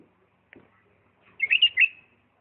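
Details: Bulbul from Diyala in the 'lisanat' song style: a faint click and soft low rustle, then a short clear phrase of three or four bright whistled notes.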